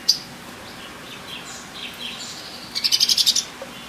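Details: Female Sumatran leafbird uttering faint, wavering high warbles, then a rapid burst of about eight bright chirps in a rattling series, followed by one low soft note.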